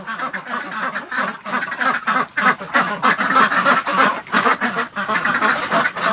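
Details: Domestic ducks kept inside a barn on a −28 °C winter morning: females courting the males quack nonstop, a dense chorus of overlapping nasal quacks about three a second from several birds at once.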